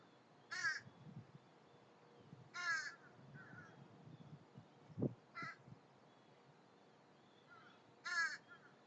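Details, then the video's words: Young American crows learning alarm calls give harsh, ragged caws in four bursts spaced two to three seconds apart, with a softer, quieter call and a dull knock in between. "Young Crows Learning The Scared Crow Songs"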